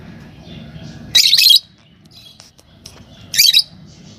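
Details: Normal green Fischer's lovebird pair in captivity: two harsh, high squawking bursts about two seconds apart over a low background hum.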